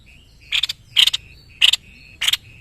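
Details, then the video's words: White-necked babbler, an Indonesian tutor bird, in full song: four rasping, chattering bursts at roughly half-second gaps, with a thin, steady high piping note running underneath. "BURUNG MASTERAN GACOR SEPERTI INI.JENIS TEPUS LEHER PUTIH"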